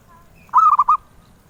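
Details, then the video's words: A zebra dove favored by collectors utters one brief purring coo, three or four rapid rolled notes in a clear, soft trill, against quiet low background noise. "Suara Merdu Burung Perkutut"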